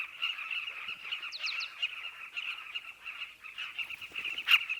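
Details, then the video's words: A nesting colony of southern carmine bee-eaters (Merops rubicoides) in burrows in a dry riverbank forms a dense, continuous chorus of throaty, rolling calls from many birds, with a few higher, sharply rising notes standing out briefly. "The sounds of Carmine bee eaters at nest"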